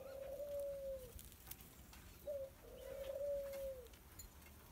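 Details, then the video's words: Young, very tame Barbary dove being friendly: two long, even, low-pitched coos, each about a second long, separated by a brief pause and a short note, in a quiet setting. "Vadas őszes kacagó fiatal barátkozik"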